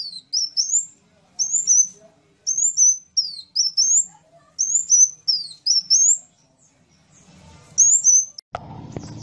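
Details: Sunbird repeating very high whistled phrases of upswept and level notes for about seven seconds. A burst of broad noise follows near the end.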